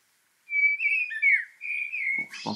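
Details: Common blackbird (Turdus merula) song: a short, mellow fluted phrase of sliding whistles lasting about two seconds, ending in a brief harsh, scratchy note.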